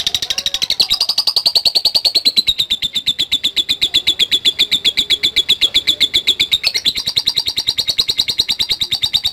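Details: Long, unbroken series of rapid, high ticking chirps from a lovebird answering a lure recording, pitch dipping slightly then rising again.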